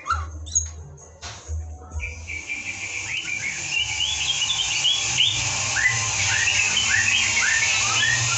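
White-rumped shama in full song: rapid, overlapping short whistles and chirps, rising and falling, several each second, over a steady low hum.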